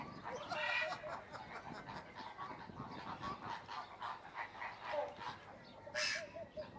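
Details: Crested myna (Acridotheres cristatellus), call.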